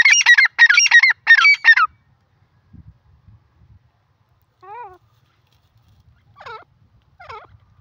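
Grey francolin giving three loud, harsh, ringing call bursts in quick succession, followed by a few softer, scattered notes.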